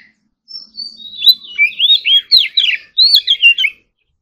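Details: Morning singing practice by an Oriental magpie-robin: a long thin whistle opens, then a rapid series of looping, slurred whistled notes repeated about three times a second before falling silent.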